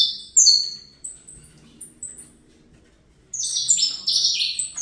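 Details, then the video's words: Young saffron finch from a breeder's aviary gives a loud high downslurred note and a few short chips, falls quiet, then launches a rapid buzzy fibra-style phrase; faint low hum underneath. "Canto Canário da Terra Fibra"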